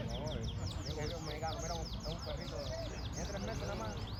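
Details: Yellow-fronted canary song of fast repeated downslurred whistles and trills over lower warbling phrases, steady low hum underneath.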